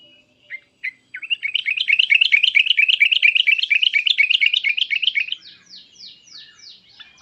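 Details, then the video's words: Sooty-headed bulbul in an emotional calling bout: a few lead-in notes, then a long, rapid, rattling chatter of even, bright notes lasting about four seconds, trailing off into softer downward-sweeping whistles. "suara trucukan emosi cukcuk keras dan uplikuplik ini menjadikan agar burung trucuk gacor nyaut emosi"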